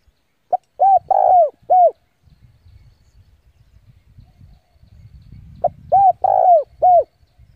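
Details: Spotted dove decoy bird cooing to call rivals to come and fight: two phrases of four arched coos, a short note, two rounded coos and a long drawn middle coo, with low rustling and handling noise between phrases.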